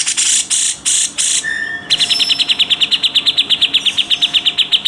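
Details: Grey-cheeked bulbul, cucak jenggot, in a training recording: several coarse, loud rasping 'besetan' bursts and a short flat whistle, then a quick, dense series of sharp repeated notes for three seconds.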